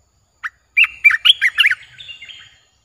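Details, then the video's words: Olive-winged bulbul, a newly acquired caged bird, gives one short note, then a quick bubbly phrase of about eight liquid, chirping notes that tails off softly, all within two seconds. "เสียงนกกรงตาแดง(นกปรอดสีไพลใหญ่)Ep.1Birds sounds suara Burung merbah beluker gacor"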